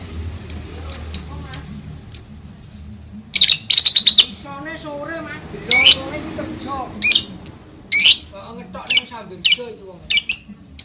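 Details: Lovebird in a long ngekek session, here giving scattered sharp high chirps and short harsh bursts with brief gaps, plus a faint lower warbling sound in the background.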